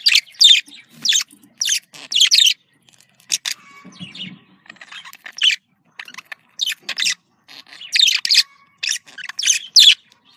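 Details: Budgerigar communication calls: short, scratchy, high-pitched chirps and warbled bursts in irregular clusters, separated by brief silences, with a faint low rustle in the middle.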